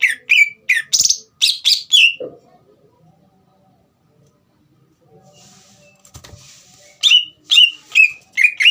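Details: Green leafbird singing, used to provoke a young bird into song: bursts of sharp downslurred whistles open and close the recording, with a quiet stretch of faint room noise and a knock in between.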